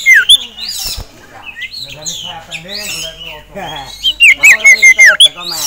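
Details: Caged male sirtu, agitated on seeing a singing rival and a female, gives sharp whistled notes and a rapid series of loud falling slurs, mixed with busy chirping and lower chattering.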